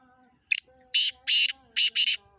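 A Black francolin gives a harsh, grating call of five rasping notes: one short note, then two quick pairs. Faint whistles sound in the background.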